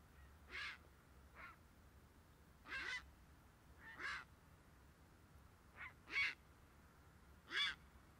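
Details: Grey heron giving harsh, hoarse croaking calls, seven broadband bursts scattered irregularly across eight seconds, some brief and weak, others longer and louder, over a low steady background hum.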